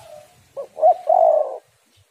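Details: Female spotted dove calling, used as a lure to stimulate males to call: a short two-part lead-in followed by a drawn-out, slightly wavering mid-pitched coo, in a quiet setting.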